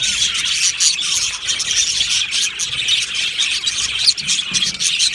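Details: Aviary of budgerigars chirping and singing as a colony: steady, dense high-pitched twittering from many birds, with a few sharp louder chirps near the end.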